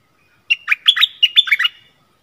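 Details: Stripe-throated bulbul singing, a caged decoy bird used to draw in wild birds that arrive but stay up, probably nesting, recorded 1 April 2021; one quick bubbly phrase of about seven warbled notes, clean and otherwise quiet.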